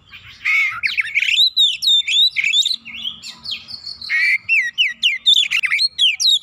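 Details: Oriental magpie-robin singing intensely to challenge a rival, a dense stream of loud whistles, upslurred notes and harsh buzzy elements repeated rapidly.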